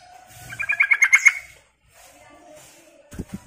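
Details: Lure call of a sooty-headed bulbul, a quick burst of eight or so bright chattering notes repeated in fast rhythm, followed by quiet with a low hum and a few soft knocks at the end.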